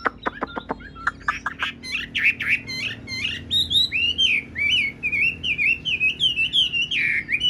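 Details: A large, blue-eyed, tame caged Chinese hwamei, a good fighter, opening with a few sharp, clipped notes, then pouring out a loud, rich run of fast, varied warbled phrases, with a faint low hum behind.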